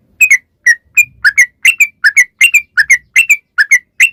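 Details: Yellow-vented bulbul singing a rapid 'ropel' song used as a lure: crisp whistled notes, some rising and some falling, repeated in quick pairs at about two or three per second.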